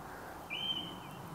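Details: In woodland on a morning just after the dawn chorus, a singing song thrush gives a single clear, slightly rising whistled note of about half a second over soft background hiss; its song is repetitive but varied.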